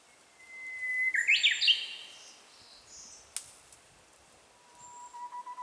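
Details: Japanese bush warbler singing at a certain place, picked up on a handheld camera that adds faint mechanical noise: a long steady whistle, then a quick rising, tumbling flourish. Thin high whistles from other birds sound later.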